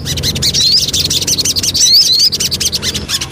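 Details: Javan cochoa lure song with continuous high twittering and three clear, thin, rising whistles standing out above it.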